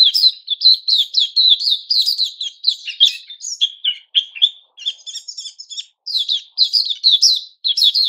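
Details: White-crowned shama (Puteh Raja) in its new-feather season, 6 September 2021, singing varied phrases: fast high twitters, then lower slurred notes and a stretch of buzzy, mimicking trills before quick chatter returns.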